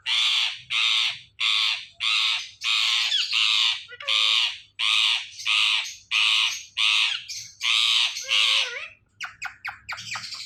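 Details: A pet talking rose-ringed (ringneck) parakeet gives loud, harsh, grating squawks, about one or two each second, with a few shorter clipped notes at the end.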